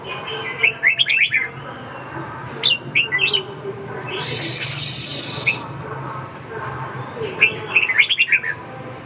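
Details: Red-whiskered bulbul: three short bursts of quick rising chirps, with a loud hissing noise in the middle and steady low hum throughout.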